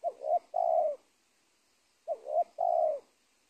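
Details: Spotted dove at the edge of a teak plantation, a bird that ruled an old cornfield before being caught. It gives two phrases of mellow cooing. A short two-part warble leads into a sustained hoarse coo each time, about two seconds apart.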